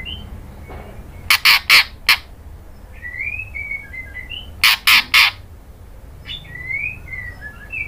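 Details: Female white-rumped shama calling to a male with two sets of four harsh broadband chak notes, with soft whistled warbling notes before and after.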